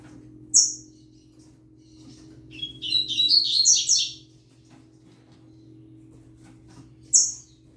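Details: Young yellow-bellied seedeater singing alongside a green-winged saltator. A single high whistled note opens, then comes a fast, tinkling warble of high, buzzy notes for over a second. Another lone sharp whistle follows near the end, over steady low hum.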